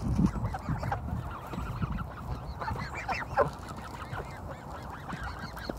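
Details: Canada geese at Kirby Muxloe castle in spring, a flock giving overlapping nasal honks that rise and fall, dense and irregular over steady low rumbling background noise.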